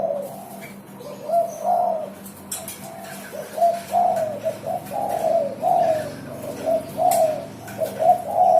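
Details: Spotted dove in vigorous, non-stop singing, offered as a lure to coax other birds into song: soft, low hooting coos in grouped phrases, about 44 per minute, over a steady electrical hum with occasional clicks.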